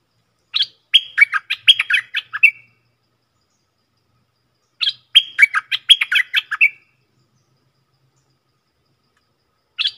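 A stripe-throated bulbul sings short, bubbly phrases of quick liquid notes, each about two seconds long, repeated after pauses of a few seconds against a quiet background.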